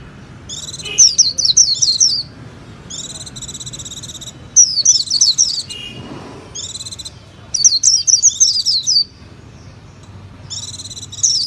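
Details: A Japanese white-eye sings long bursts of high, tumbling twitters mixed with buzzy stacked trills. Four main phrases, each about a second long, are separated by short gaps, over a quiet low hum.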